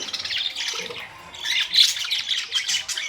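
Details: Budgerigars on May 2, 2023, trading quick chirps and raspy warbles. A short lull comes early, then the calling grows louder with bright squeaky notes.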